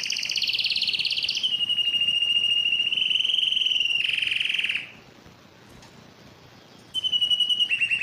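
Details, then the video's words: Yellow canary singing: a long steady whistled tone with rich overtones, a brief buzzy trill, a pause of near silence, then a fresh rolling trill starting up. "yellow canary singing"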